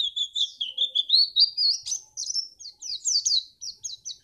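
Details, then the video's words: A Pacitan white-eye sings a long unbroken warble of thin, high notes that rise gradually and then break into quick chips, a song used to get contest birds singing. "pleci ini bisa membuat burung mu gacor"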